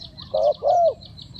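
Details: Spotted dove used as a lure for trapping gives two low, mellow coos, a brief note then a longer drawn one, over steady high insect pulsing.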